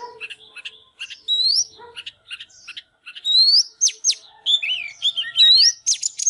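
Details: An Oriental magpie-robin, fired up and singing while displaying, gives a rich, varied string of clear rising whistles, slurred phrases and sharp chips, with a few lower mellow notes and short pauses between bursts.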